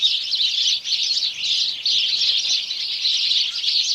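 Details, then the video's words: A dense chorus of house sparrows, many overlapping cheeps and chirps blending into a continuous bright chatter without pause. "House Sparrow Birds Chorus"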